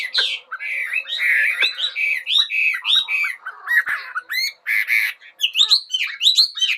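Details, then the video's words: Bird singing in the morning: a dense run of varied whistled and warbled phrases, rising and falling notes packed closely together with brief pauses, bright and high-pitched throughout. "Mời ae cùng nghe chim hót"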